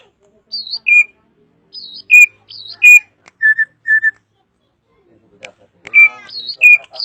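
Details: Drongo delivering a varied song of loud clear whistles, each falling from high to mid pitch, repeated in pairs with short level whistled notes between and a few soft clicks.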